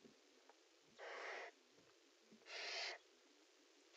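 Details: A barn owl at a nest box, where a pair is mating, gives two harsh, rasping screeches, each about half a second long and about a second and a half apart, over faint background hiss.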